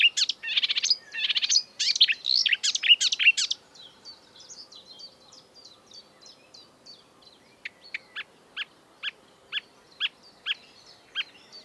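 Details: Breeding-season marsh warbler song, known for imitating European and African birds: a few seconds of loud, jumbled, scratchy mimicry, then faint thin notes and evenly spaced high ticks.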